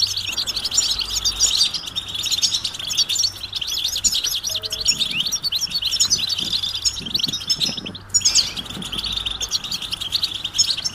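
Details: European goldfinch giving mating and readiness calls that prompt males to sing: bright, rapid twittering with liquid trills and metallic tinkles, briefly breaking off near the end, over a steady low hum.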